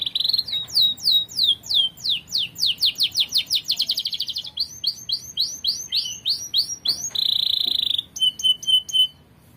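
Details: Canary song used as a master recording to train other birds: quick descending slurred notes in rapid series, a fast trill, then a sustained buzzy roll and short sharp chips at the end.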